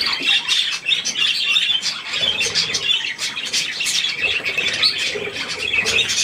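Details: Budgerigars and their young gathered at millet on 3 May 2024 produce a continuous mix of high chirps, harsh squawks and warbling chatter, fairly even in loudness throughout.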